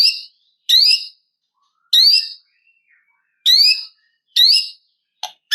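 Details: A white-rumped shama calling to draw a rival, giving loud rising whistled slurs in a steady series separated by short silences, closing with two brief sharp clicks.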